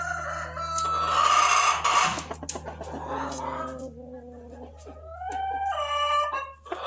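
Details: Barred Rock laying hen in a nesting box giving drawn-out, nasal, wavering calls that rise and fall, with rougher clucking notes between them, over a steady low hum.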